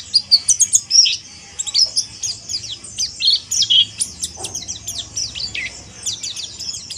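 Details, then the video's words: Harsh chirping (ngeriwik kasar) of a mountain white-eye: rapid, piercing high chips and short twittered slurs, loudest in the first second, then an uneven run of thinner notes with faint low rumble. "PLECI MONTY NGERIWIK KASAR"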